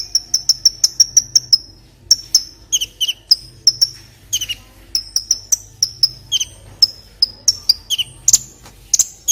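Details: Olive-backed sunbird song used to tutor other birds: rapid series of very high, thin, sharp chips, several evenly spaced runs with some downslurred notes, continuing steadily without pause, over a faint low hum.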